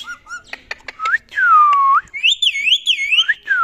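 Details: Ring-necked talking parrot indoors. It gives clicks and short tonal chirps, then a long dipping whistle. A loud, rippling whistled warble follows, rising and falling several times before a final descending slide.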